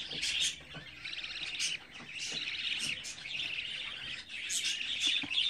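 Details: Budgerigar chicks, 24 days old, kept as pets, giving a steady high chattering of scratchy chirps with brief louder peaks; faint human voice in the background.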